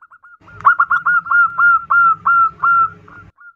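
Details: Zebra dove female calling a male: a few soft lead-in notes, then a steady string of loud, drawn-out whistled coos, about three per second, ending with a quiet note, over a low background hum.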